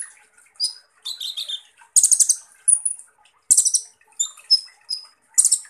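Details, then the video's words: Rough-shot ('tembakan kasar') song of Van Hasselt's sunbird, the kolibri ninja: harsh, buzzy high bursts alternating with clipped metallic chirps in uneven, hurried phrases. "Dengan CEPAT konin NYAUT dan GACOR dengar SUARA BURUNG Kolibri Ninja Full Tembakan Kasar ini"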